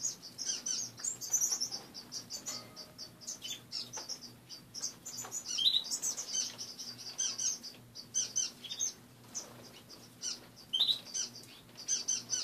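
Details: Several pet finches in an indoor cage chattering in the morning, dense high chirps and short trills almost nonstop, with wing flutters and a quiet low hum.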